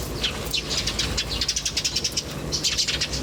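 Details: Birds twittering in nature, one giving a fast run of rhythmic high chirps about four per second, pausing briefly before another burst, over a soft low hum.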